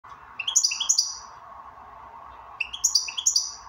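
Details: Goldfinch singing in the 'bell ring' style: two bursts of bright, tinkling, high twittered notes climbing in quick steps, separated by a pause, over a steady low hum.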